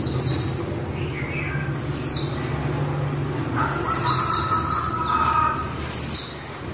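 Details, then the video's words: Female white-eye giving its líu-style calls: high, thin, downslurred whistled notes, spaced about two seconds apart, with a soft lower warble between them over a steady low hum. "Khuyên mái líu đẳng cấp THẾ GIỚI"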